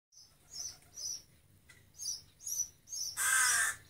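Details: Rook fledgling begging to be fed at breakfast: one loud, harsh, drawn-out caw near the end, after a run of high, thin chirps repeated about every half second.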